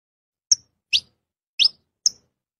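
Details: Saffron finch giving four sharp, high chirps spaced about half a second apart, each a quick downward-sweeping note, with silence between them.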